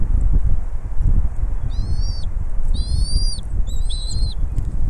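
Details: Bald eagle mother feeding her babies at the nest; after a quiet start, three bursts of high, buzzy-edged whistled chirps follow close together, with low wind noise throughout.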